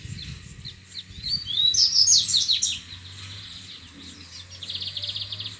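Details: Wild double-collared seedeater in a song dispute with rivals after playback: a bright burst of quick, high slurred notes, answered by fainter rapid repeated notes from another bird, over a low background hum.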